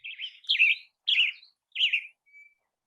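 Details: Tanager song: four hoarse, burry phrases about half a second each, slurring up and down at a steady pace, then a thin, faint high whistle, possibly another bird far away.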